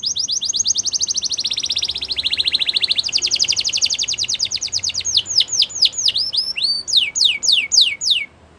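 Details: Spanish Timbrado canary in full song, a long rapid metallic trill that changes pace and pitch, then slows into separate sharply descending whistled notes.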